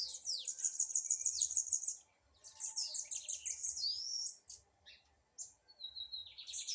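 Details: Singing blue-black grassquit during a dispute, delivering a dense high trill, then scattered chattering phrases, a thin rising slide and short bursts separated by brief silences.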